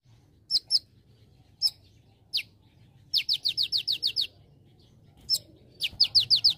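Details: Olive-backed sunbird, known locally as konin or kolibri ninja, in an energetic tutor recording for training other birds, with celilin-style filler. Sparse, very high, down-slurred chirps come in pairs and singles, then two quick runs of about eight notes.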